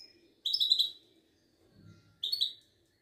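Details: Caged goldfinch of the Moroccan Widani type at a Casablanca bird market, singing two bursts of fast, bright, jangling chirps about two seconds apart, with a brief low murmur between them.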